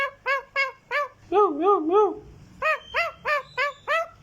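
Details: Green talking parrot repeating short arched nasal notes about three per second, with a wavering drawn-out middle phrase, music faintly behind.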